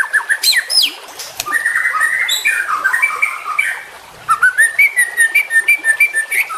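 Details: Young white-rumped shama, recorded for training other birds to sing; varied warbling phrases with slurred whistles and harsh notes, followed by rapid repeated chips and short rising whistles.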